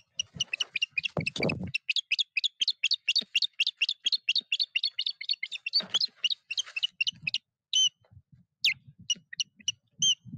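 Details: Osprey alarm at a nest in Puszcza Napiwodzko-Ramucka forest, 14 April 2023, as a foreign osprey attacks: a long rapid chain of high, sharp whistled yelps, then slower, louder separate cries, with brief scuffling noise.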